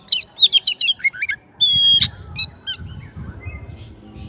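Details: Oriental magpie-robin singing to call its rival, opening with a quick stuttering series of chips, then a sustained thin whistle and scattered notes over low background noise.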